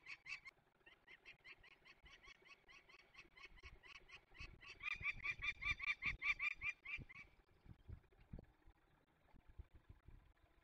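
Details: Young peregrine falcons being released in the Barycz Valley, Poland, on 27 May 2020: a harsh, rapid series of repeated kek notes, about two or three per second, growing louder midway, then fading after seven seconds.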